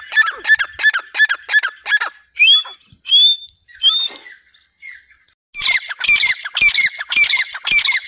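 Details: Grey francolin giving a loud, ringing call. A fast run of harsh repeated notes leads into three separate rising whistles. After a pause, another rapid burst of sharp, repeated notes follows.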